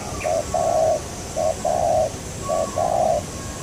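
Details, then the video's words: Spotted dove recorded while trapping a local wild dove. Three phrases, each a short coo followed by a longer, rich one, repeat evenly over a steady hiss. "MIKAT BURUNG TEKUKUR PART 8"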